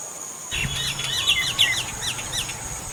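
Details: Indian common myna calling: a quick run of bright, downslurred whistled notes, about eight in under three seconds, some with sharp metallic peaks, over a constant shrill insect drone.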